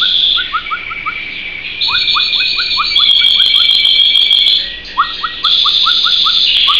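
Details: Canary singing: quick series of short rising chirps repeated about three per second, woven over a higher shimmering trill, with a dense buzzy passage in the middle.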